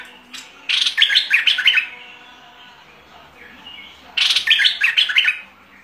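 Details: A bulbul in aggressive singing form gives two rich, rapid phrases of bubbling, rising-and-falling chirps, each lasting about a second and a half, with a short quiet spell between.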